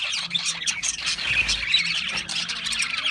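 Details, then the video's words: Parakeets, named as budgies, in a busy burst of chirping, with rapid high twittering and harsh squawky notes layered over one another, steady throughout the short stretch. "Natural Parakeet Singing Birds | Parrots Chirping sounds"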